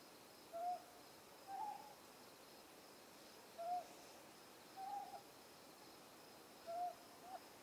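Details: Ryukyu scops owl at night on Ishigaki Island, recorded at very close range, giving short, hollow mid-pitched hoots about one a second in loose pairs, some slightly up-slurred, over a faint hum of night insects.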